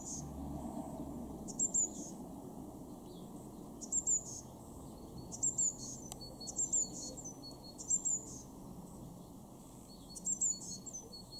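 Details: Eurasian blue tit in a garden in Weener, East Frisia, northwest Germany, February 2023: very high, thin, sibilant notes in short bursts every one to two seconds over a steady low hum.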